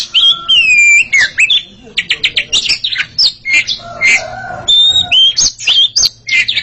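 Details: Oriental magpie-robin pair, kacer, singing against each other: long slurred whistles, a burst of rapid repeated chips, then more varied whistled and scratchy notes.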